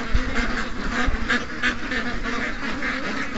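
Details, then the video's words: Ducks and geese, more than 700, in a morning rush; a busy chorus of quacks and honks with low thumping and rumbling noise beneath. "700+ Ducks & Geese Morning Rush"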